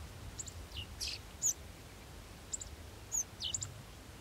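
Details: Golden sparrow chicks waiting to be fed, giving sparse, thin, high chirps, a few short notes scattered over four seconds against a low rumbling background.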